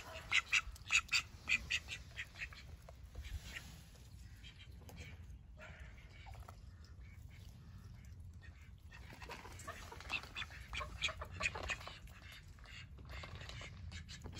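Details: A group of call ducks giving bursts of rapid, harsh, high quacks at the start and again around ten to twelve seconds, with a quieter stretch of low rumbling background between them.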